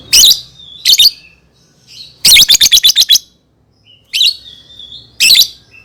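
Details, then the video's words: Lovebird song meant to teach young birds: scattered harsh squeaky bursts and one fast run of six rasping notes, with thin whistled tones between. "SUARA BURUNG Love Bird COCOK BUAT PANCINGAN PAUD"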